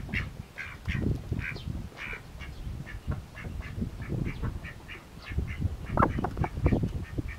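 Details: Several Mallard ducklings feeding with a keen appetite keep up a run of short high chirping peeps, evenly spaced at first and then crowding together, over heavy low dabbling noise.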